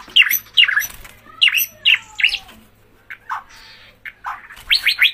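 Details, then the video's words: Murai batu (white-rumped shama) giving gacor song: paired sharp whistled notes with downward slurs, repeated at short intervals, and a long thin falling whistle, then quick rising notes. "Murai Batu GACOR"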